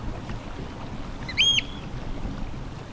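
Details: A male Northern wheatear at Strengen, Netherlands, on 24 April 2021, gives a single short, clear whistled note, slightly flat and bright, over steady wind rumble.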